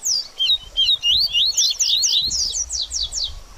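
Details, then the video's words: Song of a double-collared seedeater after moulting, used to get a caged bird singing: fast chattering phrases of high sliding whistles, ending in a series of sharp descending buzzy strokes. "BADERNINHA DE COLEIRO Top Pra Esquentar Seu Coleiro Pós Muda De Penas!!!"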